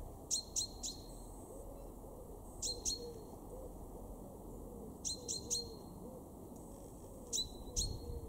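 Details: A male chaffinch in a Weener garden in East Frisia, Germany, March 2023 gives bursts of two or three sharp ringing 'pink' notes every two to three seconds, while a pigeon's soft cooing murmurs low in the background.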